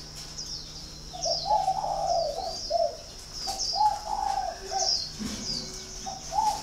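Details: Repeated cooing from a spotted dove, mellow low phrases of several rounded notes following one another about every second. High, thin bird chirps sound throughout.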